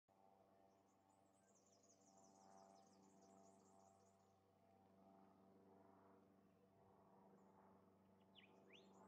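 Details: White-plumed honeyeater (Ptilotula penicillata) at Altona in September 2024 gives a quick run of thin, very high chittering notes, then a few sharp downslurred chips, over a steady low mechanical hum.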